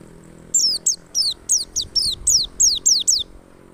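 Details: A wild white-eye, called pleci ngalas, sings as a lure to prompt other white-eyes into song: nine or ten crisp, very high notes, each dropping sharply in pitch, delivered evenly about four per second.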